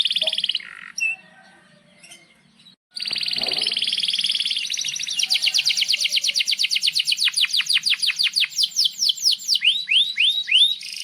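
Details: Long rolling canary song, used to coax young or silent canaries into singing: scattered high notes and a short gap, then a sustained buzzy trill breaking into quick descending sweeps and finally rising whistled notes.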